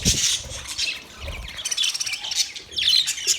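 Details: Budgies chattering in a constant run of high, raspy chirps and squeaky warbles that swell and fade without pause, with faint low rustling beneath.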